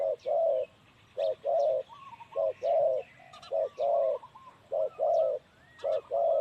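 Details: A male spotted dove gives low, mellow coos in pairs, a short note then a longer one, about once a second, in Na Chaluai district, Ubon Ratchathani, Thailand. Thin chirps from other small birds come from behind.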